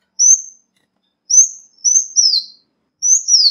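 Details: Ruby-cheeked sunbird lure calls with no other sound: thin, very high drawn-out notes, some paired and falling in pitch, with gaps of about a second.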